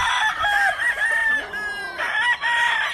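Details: Black gamefowl roosters kept for show and breeding on a Hawaii farm crow one after another. The harsh, harmonic-rich crows are sustained, with brief dips between them, and overlap into a near-continuous chorus.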